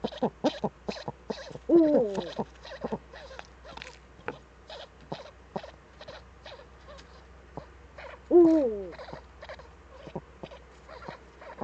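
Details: Both Eurasian eagle-owls in their nest hollow, webcam recording of 6 March 2013; two loud descending, warbling slurred calls stand out over soft, scattered clicking and ticking notes.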